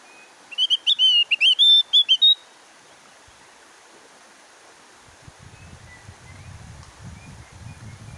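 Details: Javan grey-throated white-eye, a lively singer used to prompt reluctant caged birds into song, delivers a quick burst of high twittering notes lasting about two seconds, followed by near silence and low rumbling handling noise.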